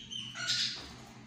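Myna chicks give a single harsh, hissing squawk lasting under half a second, with a faint low hum underneath.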